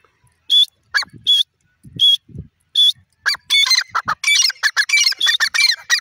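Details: Grey francolin, locally called irani teetar, giving loud harsh repeated call notes, first in spaced pairs of rising squawks, then a rapid dense series of ringing, screechy phrases; low thuds between the early notes.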